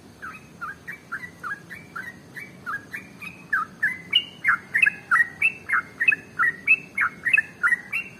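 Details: Yellow-vented bulbul male in rapid 'ropel' song, used to prompt other birds to sing: about eight seconds of even, bubbly slurred notes repeated several times a second, growing louder midway.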